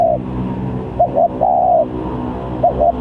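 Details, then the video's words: Spotted dove calling in a varied-sounding lure recording meant for bird trapping; low mellow coos in a repeated phrase of two short notes then a drawn-out hooting note, with soft background hum throughout. "Pancingan Tekukur||Berpariasi Bunyinya"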